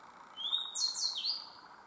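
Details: Grey bunting song at Myōkō Kōgen highlands, Japan: a short phrase of clear, high whistles that rises, then slurs downward in a few quick notes, over a soft, steady rush.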